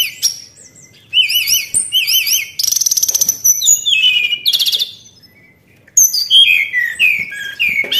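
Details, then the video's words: White-browed shortwing song used to lure birds: wavering zigzag whistles repeated in sets, a rapid buzzy trill, then sweet descending slurred whistles and quick chirps, loud and clean against a quiet background. "PANCINGAN AMPUH BURUNG TLEDEKAN"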